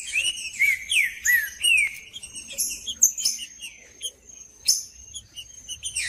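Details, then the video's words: Green-winged saltator macheando song aimed at other males. A few swooping whistled slurs open the stretch, followed by scattered sharp high chirps and clicks over a thin steady high tone. "CANTO DO TRINCA FERRO MACHEANDO🔥TRINCA FERRO CANTANDO🔥 MELHOR ESQUENTA TRINCA FERRO FRIO"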